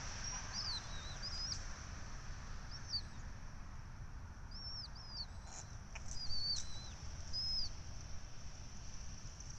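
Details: Red-tailed hawks at their nest on the Syracuse University nest camera during feeding, 12 May 2024: thin, high, arching whistled calls, some falling at the end, come in scattered bursts over a steady low rumble.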